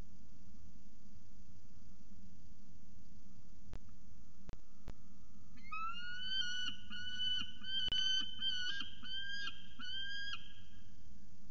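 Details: Peregrine falcon at CSU Orange, 17 February 2019: after a few sharp knocks, thin, drawn-out whining notes begin, several short wavering cries strung together with slight breaks over the final six seconds.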